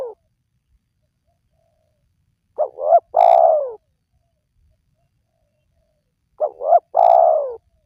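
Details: Lure call of a spotted dove meant to make wild doves answer: two phrases about four seconds apart, each a double short coo then a drawn-out coo sinking at the end, clean and quiet between.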